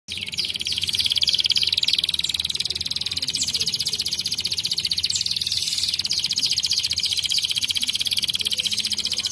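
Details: Canary singing one long, fast, buzzy trill of high notes, steady throughout, with a faint low background.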